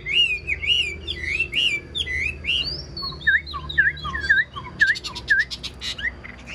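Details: Wild-caught old Chinese hwamei kept in a cage, praised for its fine voice, repeating rich whistled phrases about twice a second, then a series of sharp downward-dipping notes, ending in chattering.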